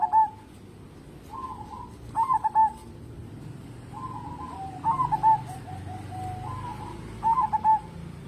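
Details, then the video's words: Energetic local zebra dove song used as a lure for other birds: gentle cooing lead-ins followed by clusters of quick pulsed notes, repeated about every 2.5 seconds, with a soft low rumble underneath. "burung perkutut lokal gacor cocok buat pancingan"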